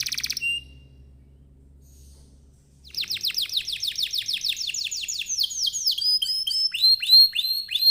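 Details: Canary song used to lure other canaries into singing: a brief burst, a pause, then a long series of rapid downslurred whistled notes shifting into varied upswept phrases.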